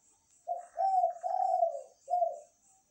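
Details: Zebra dove singing actively at night: a gentle, low cooing phrase of a short note, two long burry rolling notes and a clipped final note, with a faint continuous high shrill background.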